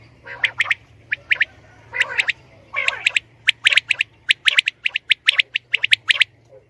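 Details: Female quail, hunting-lure recording: several buzzy, rasping calls at first, then a rapid run of bright doubled notes quickening toward the end over a light low hum.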